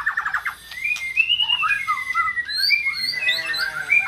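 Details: White-rumped shama song used to provoke a silent bird into singing: varied whistled phrases and slurred notes, with rapid stuttering notes at the start and a buzzy rasping phrase near the end.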